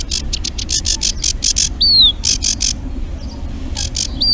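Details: Eurasian reed warbler song played so listeners can learn it during the species' spring passage through Urdaibai, Spain. Rapid grating notes repeat in uneven runs, with two thin, slurred, descending whistles heard among them.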